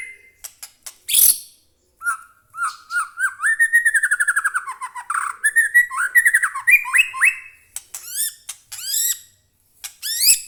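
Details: Captive White-rumped shama singing a rich, varied song: fast stuttering trills sliding up and down, clear whistled notes, and sharp high chips, delivered in dense bursts separated by short silences.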